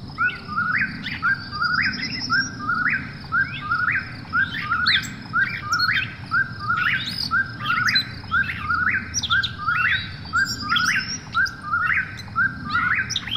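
An Eastern Whip-poor-will repeats its whistled, rising 'whip-poor-will' about once a second, over a low night hum and faint higher insect chirps.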